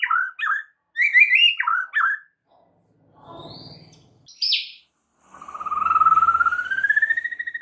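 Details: Caged white-rumped shama song for training other shamas: bouncy looping whistled notes, a soft murmur, a sharp high squeak, then a long steadily rising whistle with a fine pulsing texture.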